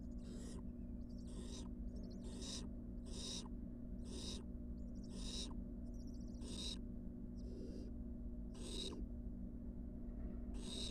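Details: Wild barn owl nestlings back in their nest box after time on the porch give harsh, broadband hissing screeches, each burst about half a second long and repeated roughly once a second, over a steady low hum.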